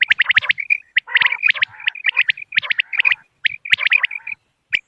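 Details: Common quail calls used as a hunting lure on moonlit nights: sharp, clipped notes in quick bursts of two and three, mixed with lower rasping chatter, several callers overlapping almost without pause.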